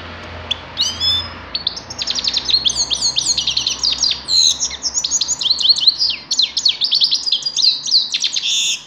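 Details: Song of the grey-crowned goldfinch: a couple of thin whistles open, then a long rapid run of tinkling chirps, buzzy trills and sliding notes keeps going to the end, high and continuous.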